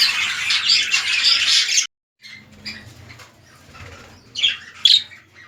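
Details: Red-eyed lutino budgerigars kept as a breeding pair, a king-size male and an undersize female, chatter in a harsh burst that cuts to near silence. A few short squawks follow after a pause.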